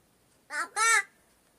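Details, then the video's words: Talking crow imitating human words such as kaka and baba, indoors; two short, harsh, harmonic syllables in quick succession, the second louder and longer, like a crow voicing a spoken word. "माणसासारखा बोलणारा कावळा"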